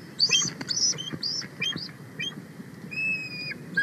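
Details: Female bald eagle on the nest at Big Bear Valley, USA, 31 March 2024, calls loudly and excitedly as a sub-adult eagle flies close after her mate brings a fish: rapid thin, high squeaky chirps, then a longer piping whistle, over wind-like rumble.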